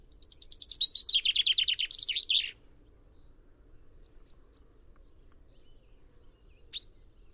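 Common chaffinch giving one quick song phrase: a bright trill of repeated notes that speeds up and descends into a flourish, lasting about two and a half seconds.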